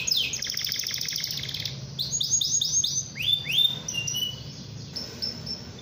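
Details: Atlantic canary in energetic full song, used to provoke rival canaries into singing: a fast buzzy trill at the start, then a run of quick downslurred whistled sweeps repeated several times a second, ending in further chirpy phrases over a faint low hum.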